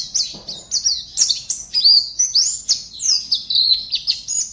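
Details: Competition pleci (white-eye) kept in a cage in Pontianak, West Kalimantan, Indonesia, gives quick squeaky whistles and rising-falling chirps, about three notes per second, in a lively continuous sequence.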